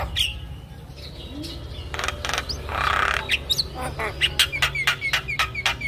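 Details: Javan myna song for prompting silent mynas to sing. It starts with scattered squeaks and a noisy rasp, then gives a quick run of clicking notes with short whistles, about four per second.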